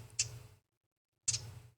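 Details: Ruby-crowned Kinglet giving its contact call: two short, high, dry chittering notes about a second apart, with a low hum beneath.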